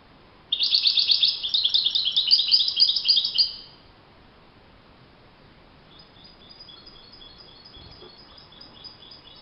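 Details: Wild European goldfinch producing a loud, dense three-second twitter of rapid high chirps, followed by a quieter, thinner series of distant chirping notes.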